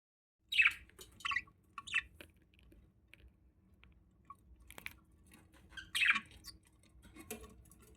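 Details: Male budgerigar feeding a female: short, scratchy squawks, three in quick succession, then a louder pair about four seconds later, with soft clicking and chewing-like sounds between.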